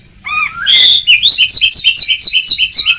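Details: Oriental magpie-robin training song to stimulate singing: a drawn whistle, then a fast, regular chain of bright, high repeated twittering notes, about five per second.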